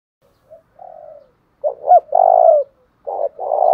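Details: Spotted dove cooing, from recordings compiled for training and stimulating decoy birds: a soft short note, then a series of low, full, slightly buzzy coos, some rising and broken, in uneven bursts with brief pauses; no other sounds.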